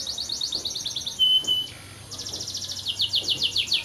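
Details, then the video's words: Singing canary delivering quick pulsed trills, interrupted by a clear pure whistle and a short softer pause, then resuming with fast rolling buzzy phrases. "Canary Brids singing"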